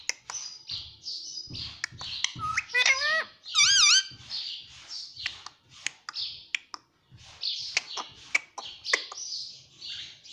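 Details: Pet rose-ringed (ringneck) parakeet chatters in scratchy, high bursts, broken by a few clear, bending whistled phrases that sound like mimicked words, apparently "mummy", with faint background murmur.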